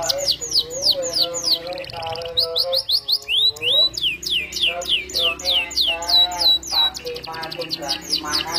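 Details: Full-voiced canary song with 'cengkok merdu' variations: long series of sharp downward-sweeping notes repeated rapidly over a wavering, warbled lower line, loud and unbroken throughout.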